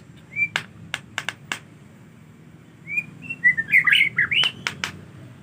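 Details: White-rumped shama in rainy weather, reluctant to bathe, gives a few thin whistles among sharp clicks, then a rapid twisting phrase of rising and falling whistled notes.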